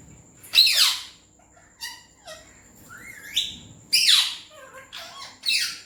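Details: Indian green ringneck parakeet, a pet parrot, talking in Urdu/Hindi indoors. Harsh, breathy word-like bursts with falling sweeps come in four main phrases, with a short rising squeak between them and a steady faint high tone behind.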